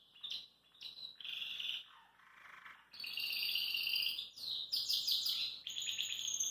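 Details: Belgian canary singing relaxed at a kitchen sink: bright, high chirps and short whistled phrases that build into loud, rapid warbling, with fast buzzy trills repeated in quick bursts through the second half.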